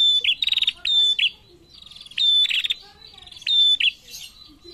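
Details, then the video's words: Female prinia calling back to males with repeated high phrases: a quick rattle, then clear whistles each ending in a rapid buzzy stutter, about three phrases spaced over nearly five seconds. "SUARA PRENJAK BETINA GACOR SAUT JANTAN"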